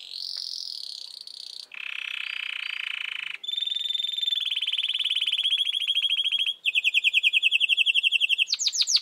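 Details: Canary singing in a clean indoor recording: a continuous series of distinct tours, from a high sustained warble to a lower buzzy roll, then fast rattling trills and a rapid pulsed trill, each section a second or more.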